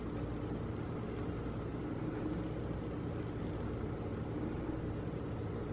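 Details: Continuous broadband engine-like rumble and hiss fills the whole stretch, with no calls or drumming standing out.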